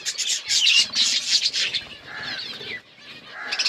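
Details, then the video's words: A group of budgies chirps in a forest-environment aviary: busy, high, buzzy twittering with quick squeaky notes, steady for a few seconds before softening. "Budgies in forest environment aviary birds chirping"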